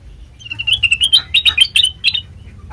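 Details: Sooty-headed bulbul lure song: a lively, gurgling phrase of chirps that climbs and falls, ending in a short double note.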